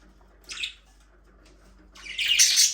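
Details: Budgerigars chattering in their aviary, where they talk, sing and play: one short scratchy chirp, a quiet gap, then a dense rush of high, buzzy warbling chatter.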